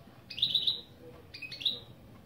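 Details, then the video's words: Goldfinch × canary hybrid (mule) singing opening phrases of its song: two brief, high, bright bursts of quick chirping notes, a second apart, over a quiet, faintly rumbling background. "Saka Melezi Ön Çıkışlar"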